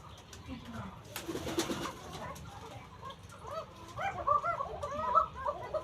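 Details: Original local Deshi Koka domestic pigeons kept as a hobby in Ilamdahi, Tanore, Rajshahi, Bangladesh, nervous of visitors; soft low murmuring before a bump of handling noise, then a cluster of overlapping coos grows louder toward the end.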